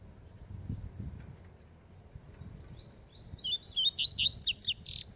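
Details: Rusty-collared seedeater in a singing contest, called a spirited bird, over a low hum: a soft thin whistle, then a rising build of rapid bright chirped notes, roughly three per second, ending in a harsh buzzy note.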